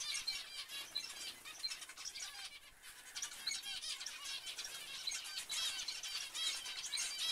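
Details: Zebra finches in a dense chorus of brief, stacked nasal calls, with a quieter patch near three seconds and clearer repeated beeps toward the end.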